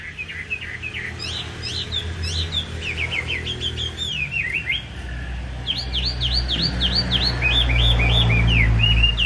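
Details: Caged Chinese hwamei, a trained bird with a fanned tail, singing continuously: varied whistled phrases, slurred up-and-down notes, then a run of rapid repeated rising-falling whistles, over a low background rumble.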